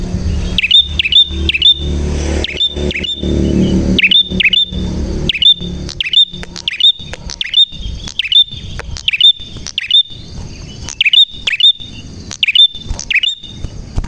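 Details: Prinia in full, clear song: a long run of about two dozen sharp, high chirps in short bursts, with a low rumble during the opening seconds.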